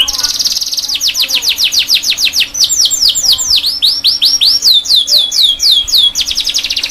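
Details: Canary tutor song for young canaries learning to sing: a fast, rolling series of high, sweeping whistled notes, several per second, with bright trills and slides throughout.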